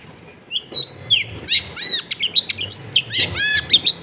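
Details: Lure song of a long-tailed shrike meant to rouse shrikes that will not sing, from a crowded residential setting: a rich, continuous warble of whistles, arching slurred notes and scratchy trills delivered rapidly.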